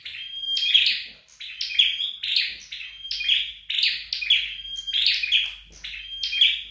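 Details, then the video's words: Flowerpecker kept and trained at home, giving a high, thin twittering song of short chirpy bursts ending in a steady whistled note, repeated about once a second over a quiet room. "Dợt Sâu Đầu Đỏ Tại Nhà"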